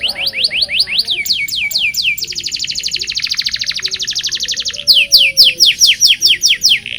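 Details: Energetic local canary song for teaching young canaries: quick rising whistled notes, then a long fast rolling trill lasting over two seconds, followed by a run of sharper repeated upsweeps against faint background noise.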